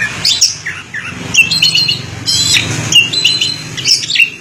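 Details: Orange-headed thrush song, long-duration style, with scratchy mid-high notes and short whistled phrases over a noticeable low rumbling background.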